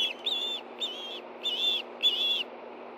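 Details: Osprey food calling at the Hellgate Canyon nest, Montana, on a September 2013 evening, with a fish delivered. Four drawn-out shrill whistles spaced about half a second apart.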